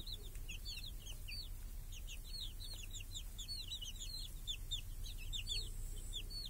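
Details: Village hens and chicks feeding in a protective cage on a clear summer day; roughly three or four shrill falling peeps per second from several chicks, uneven in timing, beside a steady low rumble.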